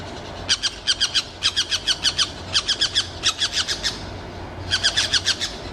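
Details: Wild orange-chinned parakeets calling: rapid series of harsh, squawky chattering notes in quick bursts of three to six, a short pause near the middle, then another burst; steady low background hum.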